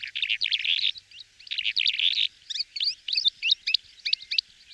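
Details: Calandra lark, recorded for use as a decoy, sings a fast, unbroken chatter of rich warbles, harsh buzzy notes and sharp whistles, high-pitched and tightly packed, with no other sounds.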